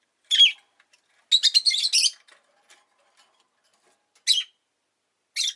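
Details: Pet rosy-faced lovebird chirping: one sharp call, then a rapid stuttering run of harsh chirps, followed by two more isolated shrill calls after a pause.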